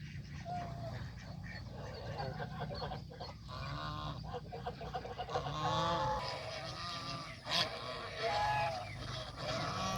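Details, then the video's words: Domestic geese, adults and young, eating fresh grass by a pond on a small countryside farm; scattered honking and softer nasal calls overlap, with a few thin higher peeps and steady low background rumble. "Happy Geese Enjoy Fresh Grass by the Pond"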